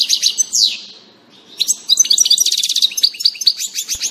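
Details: Spring goldfinch, first of the year, in April 2019, giving quick bright twitters and a falling buzzy note, then a long, rapid sequence of sparkling, jingling chirps.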